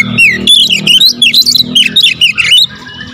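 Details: Magpie-robin giving tight rapid 'tembakan rapat' lure song, a continuous stream of loud twisting whistles and chips without pause, over a steady low humming tone, ending in quiet.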